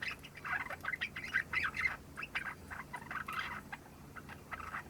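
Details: Young pet Java sparrow just over three months old, newly brought home, practising its song: soft, scratchy chattering notes and short squeaky phrases in uneven bursts, quiet and low-level against faint room hiss.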